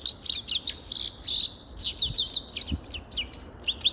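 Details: Grey-crowned goldfinch in full song: a nonstop, rapid twitter of sharp, tinkling chirps and quick slurred notes running through the whole clip.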